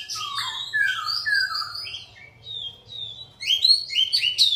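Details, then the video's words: A bird sings a fluid run of whistled, downslurred notes and high warbles, fading to thin, quiet tones midway before bursting into a final flurry of bright, rapid chirps; a low steady hum persists. "Chim hot hay"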